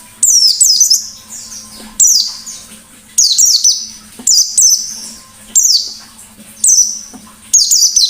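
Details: Energetic wild-style white-eye repeating sharp, high, descending squeaky bursts about once a second, each quickly falling in pitch, with a steady low hum in the background.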